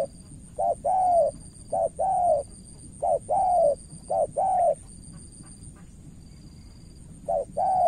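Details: Spotted dove decoy, Cà Mau, Vietnam, cooing at an experienced rival. Five short-long coo pairs come in a run, a quiet gap of about two seconds follows, then one more pair. Faint high tone in the background.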